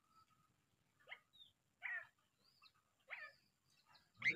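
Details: Sulawesi crow uttering scattered harsh, nasal notes and a few thin whistles separated by short pauses, ending in a loud rough burst; otherwise quiet surroundings.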